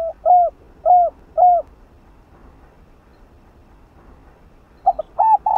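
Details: Spotted dove cooing played to urge a caged dove to coo, in the 'chiêu 3 hậu' style. Three short, hollow, arched coos at half-second spacing give way to a quiet pause, then stuttered notes begin another phrase.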